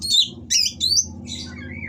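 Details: Oriental magpie-robin in mating condition singing harsh material aimed at rivals: a few high, squeaky slurred whistles, one rising and falling, over a faint low hum.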